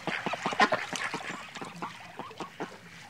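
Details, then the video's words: Several pet or farm ducks quack in a rapid, overlapping chatter of short nasal calls, calling over one another with no pause. "Duck sound"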